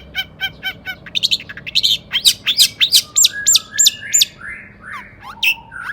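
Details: Long-tailed shrike, a caged songbird, in loud agitated song used to provoke other shrikes into singing: sharp harsh chirps and squeaky notes delivered rapidly, then several slurred whistled and buzzy phrases, about three notes per second.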